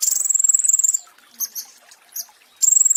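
A flowerpecker gives very high, thin rapid trills that open and close the passage, with a few sharp chips in between.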